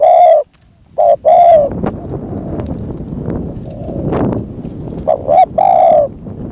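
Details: Decoy spotted dove luring a wild dove, a few mellow coo phrases at the beginning and end, separated by a noisy stretch of rustling and knocking.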